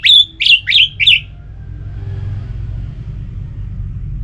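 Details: Orange-headed thrush delivering a rapid series of four bright whistled notes, each dipping in pitch, in just over one second, then quiet with low rumbling; song played to get kept birds singing.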